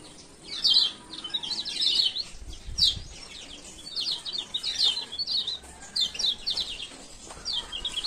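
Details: Male Lemon-bellied White-eye, Lombok, giving repeated groups of high, sharp chirps spaced about every half second to second, the 'ciak ciak' calls meant to lure silent birds into song.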